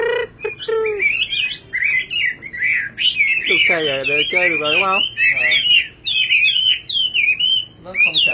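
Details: Nightingale singing: a run of quick, twisting, squeaky warbled notes at high pitch, broken by short gaps, with people talking loudly through the middle stretch.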